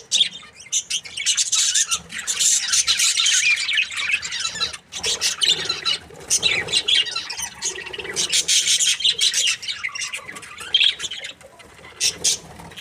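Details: A happy budgerigar breeding pair keeping up long, busy streams of scratchy, high warbling chatter and squawks, with a brief break near five seconds and tapering toward the end.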